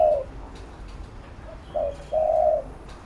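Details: Spotted dove used as a decoy to train a bird, giving a mellow coo, then after a quiet gap a short note and a longer steady coo near the end; light background noise.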